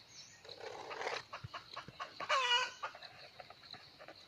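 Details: Wild red junglefowl rooster lured by a hen, 17 March 2020: a noisy rustling stretch, then one clear harmonic crow near the middle, with soft clucks and clicks around it.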